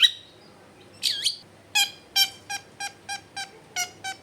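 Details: A long-tailed shrike, recorded at home in a dense residential area, gives a high whistle and a looping chirp, then a steady run of eight harsh clipped notes spaced about a third of a second apart.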